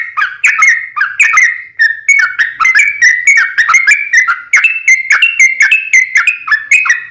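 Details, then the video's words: Lure recording of a sooty-headed bulbul singing: a steady run of bright, whistled, slurred notes, each phrase starting sharply and stepping up and down, with no other sounds. "SUARA trucukan gacor RAJA PIKAT tarung ropel panjang"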